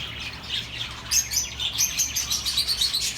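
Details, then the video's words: Soothing chirps from several birds for lonely pet birds, quiet at first, then rapid bright twitters repeating about every quarter second. "The best relaxing birds sounds for your lonely birds"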